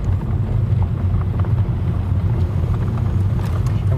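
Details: A steady low engine rumble with wind buffeting and faint speech, and no animal calls.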